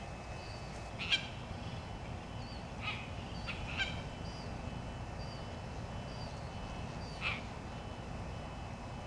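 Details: Red-tailed tropicbird on Midway Atoll, 20 August 1990, giving four short, harsh, rasping squawks spaced a second or more apart, over steady rushing wind and surf.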